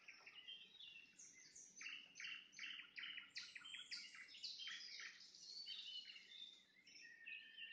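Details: Nightingale trills at sunset: a long sequence of loud stuttering note clusters about two to three per second, mixing harsh chatter and clear whistles, over a low steady background hum.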